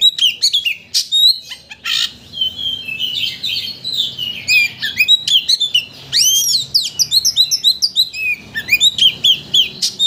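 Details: White-rumped shama singing as a lure to excite another shama into its full repertoire; dense, energetic medley of high whistles, buzzy chips and rapid repeated slurred notes with brief gaps.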